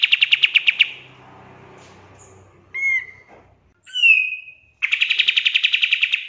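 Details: Pied triller, used to tutor songbirds, giving the tail of a rapid chipping trill, a few separate clear slurred whistles, then a new fast trill of repeated notes starting up. Faint low hum between phrases.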